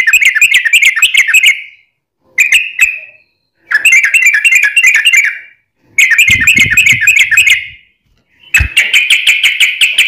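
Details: Energetic yellow-vented bulbul song, long rapid 'ropel panjang' style, played as a lure so other bulbuls reply: four bursts of fast chattering, gurgling notes, each about one to two seconds long, with short silent gaps.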